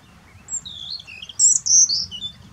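A Black-necked grebe gives high, thin whistled notes, a few rising and twittering phrases over about two seconds, over a faint low background rumble.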